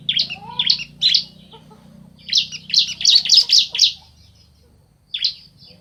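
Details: Male and female bar-winged prinias answering each other: bursts of sharp, high chirps, a quick triple, a rapid run of about eight notes, then single chirps after a pause.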